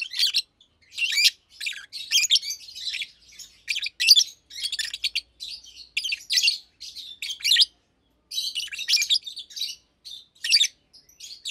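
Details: Daytime song of two caged Fischer's lovebirds, blue and pastel green adults: steady stream of high, harsh chirps and twitters in rapid bursts with barely any gaps.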